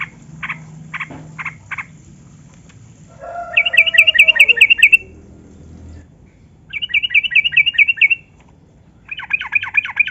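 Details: Gacor yellow-vented bulbul with a long ropel song, played as a lure so captive bulbuls will sing. A few separate chirps come first, then three bursts of rapid ringing trills, each a second or two long, against a quiet background.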